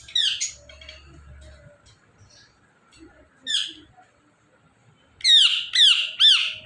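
An Indian ringneck parakeet gives harsh, screechy squawks: a few scattered calls, then three loud rasping shrieks in quick succession near the end.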